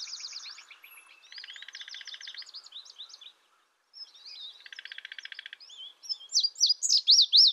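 An indigo bunting sings high, bright phrases: buzzy trills and paired chips, then loud, sweeping, slurred notes after a brief pause.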